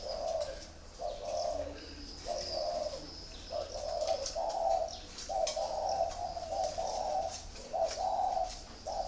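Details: Caged spotted doves on a rack at a bird farm in Ba Vì district, Hanoi, Vietnam, cooing steadily: mellow low phrases following one another almost without pause, with light clicks and rustles in the background.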